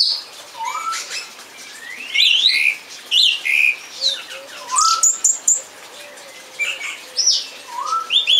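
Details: Song thrush with a string of varied whistled and scratchy phrases separated by short pauses, a faint low whistle underneath.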